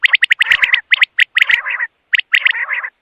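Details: Quail calls: rapid bright chirps running straight into grating, buzzy trills, two bursts split by a short pause.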